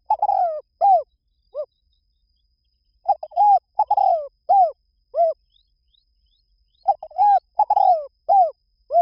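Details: Spotted dove repeating phrases of low, mellow coos, each note arched and falling, phrases of three to five notes separated by pauses of a second or two, over a quiet background.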